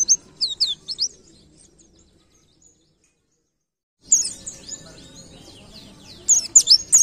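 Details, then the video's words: A pleci ngalas white-eye sings a canary-like tutor song, with bursts of high, quick, twittering chirps of sharp canary quality breaking off into short silences before resuming. "Pleci Ngalas Nembak Kenarian"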